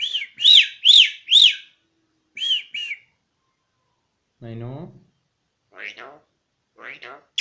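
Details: Myna mimicking speech in Pashto: a run of loud whistled, arching notes, then a lower buzzy voice-like phrase and short rising squeaky notes, with gaps of silence between.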